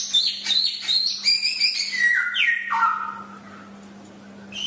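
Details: Chinese hwamei master song: high sustained whistles that step downward through a series of descending slurred notes, fading into quiet before a brief final phrase, over a faint hum.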